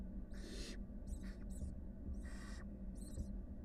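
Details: Wild barn owl nestlings, part of a family of a mother and five chicks, give a few long harsh hisses and shorter rasps, uneven in spacing, over a low steady hum.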